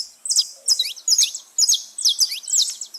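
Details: Free saffron finches in the wild: short bursts of high, sharp chirps and thin slurred notes, roughly two phrases per second, clear and bright.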